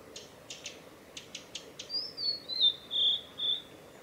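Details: A male blue-and-white flycatcher on the Mizusawa forest road in Tanzawa, Japan, on 8 June 2020, gives calls: a quick series of dry, clicking tack notes, then a thin high whistle that wavers on for two seconds.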